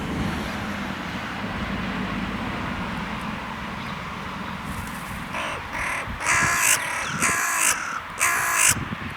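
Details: A territorial carrion crow in a park, in cold weather, gives four harsh, broad caws, roughly one a second, in the second half, after a steady low traffic-like rumble.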